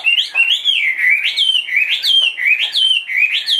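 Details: A caged Chinese hwamei, large-bodied and two and a half years old, repeats a loud rising-and-falling whistled phrase about every half second, clear and ringing throughout.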